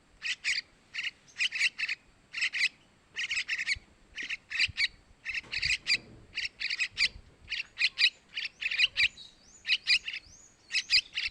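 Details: Begging calls of yellow-vented bulbul nestlings, played to attract male birds: a steady stream of rasping, high chirps grouped in doubles and triples, repeated without letup for over ten seconds.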